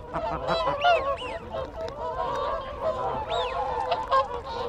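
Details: Whooper swan flock calling up close with contact calls, a busy mix of honks. Several clear, curving whistles of wigeon stand out, and Canada geese call behind them.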